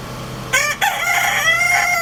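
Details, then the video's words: Crowing rooster kept with its family: a short harsh opening note, a brief break, then a long, loud, rich harmonic tone held to the end, with a low background hum. "Big Rooster with family #little rooster Crowing sound effect"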